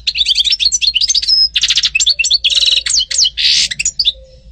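A European goldfinch sings a fast, liquid run of tinkling twitters and buzzy trills, high-pitched and continuous, with a faint low hum underneath.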